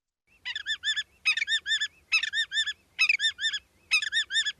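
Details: Willet (Tringa semipalmata), a marsh bird, giving its loud, ringing pill-will-willet, five quick three- to four-note phrases, each about a second apart, with no other sounds.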